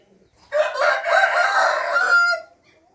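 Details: A single rooster crow from 15 June 2021: one loud, hoarse crow of about two seconds, strained and slightly rising before it trails off, in an otherwise quiet setting.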